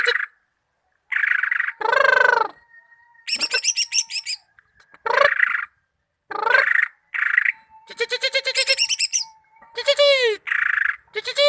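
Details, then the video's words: Varied song of a greater green leafbird (cucak ijo) from Malinau, mixing buzzy bursts, rapid trills, sweeping whistles and a thin steady tone, with short pauses between phrases. "Cucak ijo mania malinau vs raja kicau"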